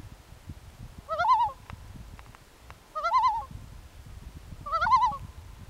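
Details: A loon at night gives three short, quavering, warbling cries about two seconds apart, each rising and wavering, over a low rumbling background.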